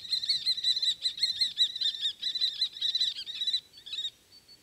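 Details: Common kestrels calling during mating: a rapid, strident series of sharp high kee notes, about two to three per second, sustained for over three seconds before breaking off into a few last calls, against a quiet background.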